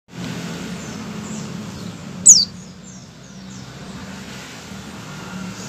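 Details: White-eye giving its ngecal opening call before full singing: one thin, high note sliding steeply downward, lasting a fraction of a second, over steady low background hum.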